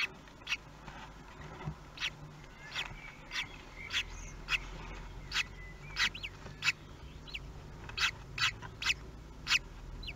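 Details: Common kestrel calling at its nest in Théding, France, on 24 May 2020, hatching day of the fourth chick; brief piercing notes repeat irregularly about one and a half times per second throughout, over faint low rumble.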